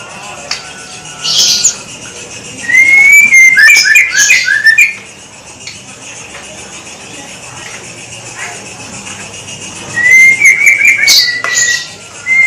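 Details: White-rumped shama singing vigorously: loud bursts of clear whistled, slurred and chattering phrases, one long burst lasting about two seconds and another near the end, separated by quiet pauses with faint background hiss.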